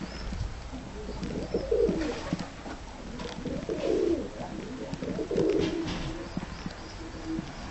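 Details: Several low coos from tumbler pigeons inside their loft, spread through the clip at roughly 1.7, 4 and 5.5 seconds, mixed with shuffling, tapping and soft knocks; the birds look shy but are easy to control.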